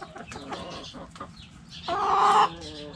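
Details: Backyard hens in a coop clucking, soft broken clucks followed by a loud drawn-out squawking cackle lasting about half a second, then quieter clucks.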